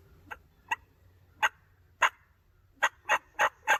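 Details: A Wild Turkey gobbles back in spring turkey season on a hill in New York in the morning, seeming to draw closer: eight rough, broadband notes at an uneven pace over about four seconds, faint low rumble behind.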